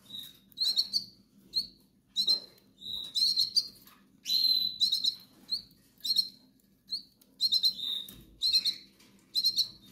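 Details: Hungry goldfinch nestlings from the Canary Islands calling insistently: continuous high-pitched, slightly buzzy chirps in rapid bursts throughout, some notes doubled or tripled, with brief gaps between bursts.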